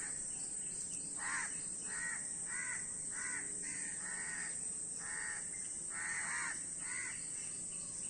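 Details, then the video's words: A crowd of crows gives loud, hoarse caws in a halting series, roughly one every half-second with short gaps. A persistent shrill hiss sits behind them. "অনেক কাক Crow Bird's Video | কাকের ভিডিও ও কাকের ডাক।"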